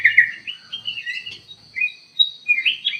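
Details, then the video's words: Ruby-throated bulbul (kutilang emas) singing actively in an aviary: a run of bright, chirpy whistled notes sliding up and down, some sharp high accents, with brief pauses between phrases. "KUTILANG EMAS GACOR DIDALAM AVIARY"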